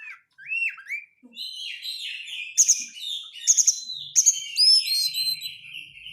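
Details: White-rumped shama song used as a lure to make caged birds sing, with tight chattering 'crecetan' phrases: whistled rising notes opening into dense high buzzy bursts repeated about once a second over a steady warbled run.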